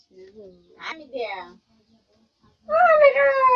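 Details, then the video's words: A common myna imitates human speech, slow to talk in front of the camera: a short run of voice-like syllables, a pause, then a loud, drawn-out, harmonic word with a falling pitch. "কথা বলে শালিক পাখি ।দেখুন শালিক পাখি কিভাবে মানুষের মত কথা বলে"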